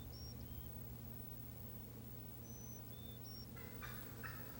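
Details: Wild turkeys (Meleagris gallopavo) in South Carolina woodland in spring give rough, rattling gobbling bursts near the end, with thin high whistles from other birds earlier and a steady low hum beneath.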